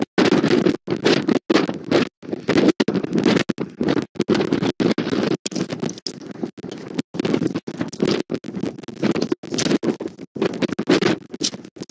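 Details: Loud rustling and scratching noises in rapid bursts with brief gaps, and no animal voice heard.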